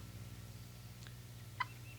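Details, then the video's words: An Eastern wild turkey gives a single hard, clipped alarm putt, with a fainter note just before, over a low steady hum. "A series of hard, short, and loud putts serves as the alarm call."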